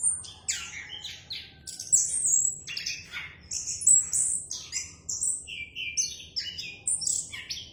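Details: Clear-voiced orange-headed thrush song, a continuous string of varied high whistles and quick chips, phrases changing pitch every fraction of a second, with no other sounds.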